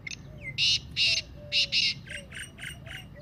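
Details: Black francolin (Kala Teetar) 'masti' calling voice: a run of harsh, rasping broadband notes, four loud bursts followed by four softer ones, with faint thin whistles and slurred tones underneath.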